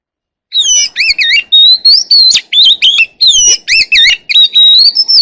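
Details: Singing Oriental magpie-robin in forest-style voice, calling its flock: a continuous stream of loud warbled phrases, wavering two-tone whistles alternating with sharp chips and long pure whistles, varied throughout five seconds.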